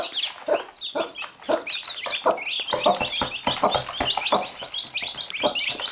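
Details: Hen and chicks, the chicks biting the mother and the hen picking at them in return: soft rhythmic clucking, several per second, with dense high peeping from many chicks overhead.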